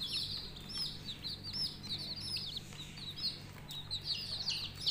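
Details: Several coloured budgerigar chicks chatter in quick, sharp, high-pitched chirps and little rising and falling warbles, calls tumbling over each other without pause against a soft background hum.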